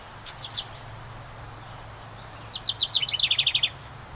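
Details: Summer house wren at its nest site in a ceramic birdhouse beside a cabin: a few faint high notes, a pause, then a rapid rattling song of bright repeated notes ending in an even trill.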